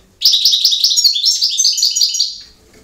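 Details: European goldfinch singing in campero style: a fast, dense run of bright, high, twittering and tinkling notes, delivered as one continuous phrase of about two seconds, with a quiet background.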